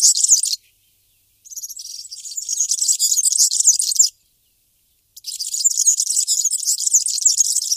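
Bramblings give dense, high twittering chatter in three bursts, separated by short silent gaps; no other sounds are heard.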